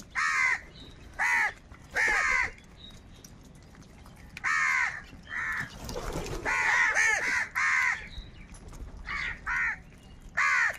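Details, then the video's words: Several crows fighting for food, cawing repeatedly: harsh, grating caws in quick pairs and runs, some overlapping as more than one bird calls, with rural background noise. "Crow bird live Crowing sounds | Clear crystal Crow bird Crowing sounds | কাকের ডাক Crow Sound"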